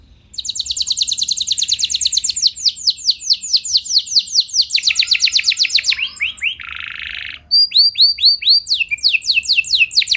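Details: Canary song meant to provoke other canaries into singing: long rolling trills of rapid repeated high notes, shifting between note types, with a buzzy harsh section midway before bright sweeping phrases resume.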